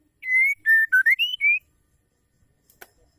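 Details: Female white-rumped shama call used to get males singing: a run of six clear whistled notes, level then dipping and rising, with a sharp click afterwards in an otherwise quiet room.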